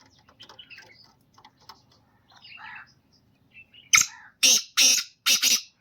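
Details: Black francolin calling: quiet clicks and a low murmur, then a loud rhythmic series of four harsh, rasping notes about half a second apart.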